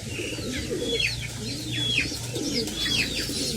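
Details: Pigeon chicks fed by parents utter a few high, falling squeals, roughly one per second, with muffled low cooing and a constant background hum.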